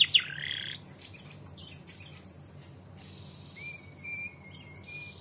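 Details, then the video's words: Canary singing as a lure (pancingan) to make other canaries answer and sing: a sharp opening trill, scattered chirps, then clear whistled notes and short twittering phrases with brief pauses. "PANCINGAN KENARI PAUD NYAUT BUNYI DAN GACOR"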